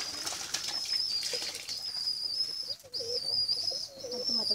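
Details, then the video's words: Hungry pigeon chicks crying for food with a long, piercing, high whine that wavers slightly and breaks off twice, soft lower murmurs and some wing fluttering in the background. "Pigeon chicks crying for food"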